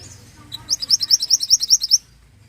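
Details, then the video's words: Pied bushchat song used as a master recording for training songbirds: a rapid trill of about twelve sharp, high chirped notes lasting just over a second, after a few faint thin notes, with a quiet background. "Masteran burung mantenan Gacor"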